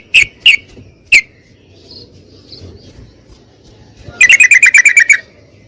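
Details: Yellow-vented bulbul lure song for a bird that has stopped singing: three isolated sharp chips, a quiet stretch with faint soft notes, then a fast rattling run of about eight notes.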